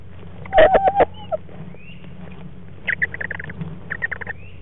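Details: Barred owl in a nest box, feeding on a frog, 14 February 2014. A tight cluster of harsh, harmonic squawks comes first, then after a pause a quick series of short, clipped notes. A steady low hum runs underneath.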